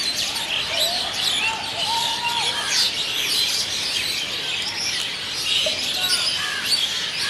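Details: Evening roost of Asian Pied Starlings in Kolkata, India, a large social flock returning to a fixed night site; constant high chattering and squeaky notes over a few lower whistled slurs, busy and unbroken.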